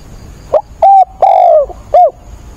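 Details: Decoy spotted dove cooing vigorously during a rainstorm on 28 October. Four mellow, hollow coo notes: a short clipped one, two longer sustained ones, the second sliding gently downward, then a final short arched coo.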